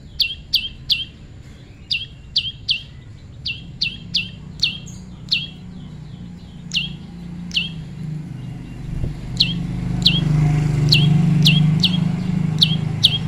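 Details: Prinia pairing in the wild gives a long run of about twenty-two bright, falling chirps in uneven bursts, while a vehicle's low engine rumble swells toward the end.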